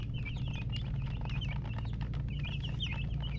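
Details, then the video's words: Baby chickens peeping loudly in clear bursts of quick, bright, wavering chirps, backed by steady low background noise. "MURGI Baby "Chicks Chirping" Sound"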